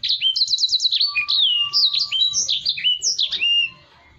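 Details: A Black-throated canary sings energetically as a model for other cage birds, opening with a quick repeated trill, then bouncing, slurred whistles that stop abruptly into near silence.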